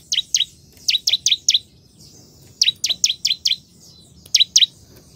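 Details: Bar-winged prinia singing briskly: runs of two to five bright, high chips, each falling steeply in pitch, given in spaced bursts against a quiet background.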